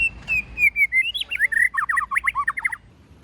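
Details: White-rumped shama giving a forest-style song: a long, high whistle that slides gently down, then a quick string of twisting whistles that speeds into rapid, choppy looping notes.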